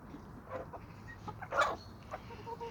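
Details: Chickens and roosters from a flock on a small suburban homestead with sandy soils in Toxandria: soft, short scattered clucks, with a louder, sharper burst midway and a few quiet notes after it, over a low background hum.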